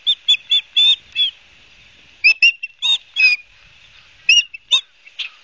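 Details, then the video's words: Ospreys in New Jersey at Barnegat Light, 12 September 2022: rapid high whistles in a quick run of five, a pause, then more scattered piercing chirps, some slurring downward. "Barnegat Light Ospreys"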